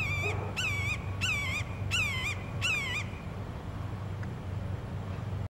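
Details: Buteo hawk calling in Savannah, Georgia: a series of five clear, high, slightly wavering screamed notes with strong overtones, each about a third of a second, repeated quickly, then quiet with a steady low hum behind.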